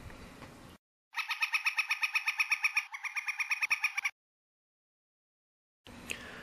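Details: Northern Flicker in spring in Wisconsin, first mistaken for a starling, gives a loud, rapid, even series of ringing 'kek' notes, about seven per second for three seconds; a man's voice is heard briefly before and after.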